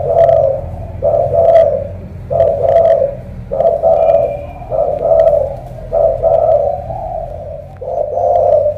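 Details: Vietnamese spotted dove from Cà Mau, a loud-voiced thổ cọp sounding like a pigeon, cooing in deep, rough two-part phrases repeated roughly once a second. Occasional ticking noises are heard between phrases.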